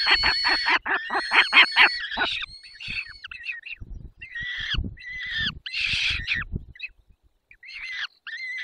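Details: Peregrine falcons at a feeding, Barycz Valley, Poland, 20 May 2021: a fast run of harsh cackling notes, then scattered whining calls mixed with low thumping and rustling, fading to quiet.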